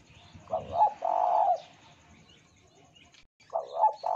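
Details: Spotted dove coo used to lure other doves into song: a stuttered coo and long hoarse note, then after a pause of about two seconds a second phrase begins.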